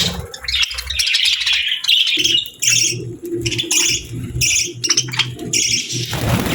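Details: Happy pet budgerigars chirping, several birds overlapping in busy bursts of bright, scratchy warbles and squawks, with a low steady hum running beneath.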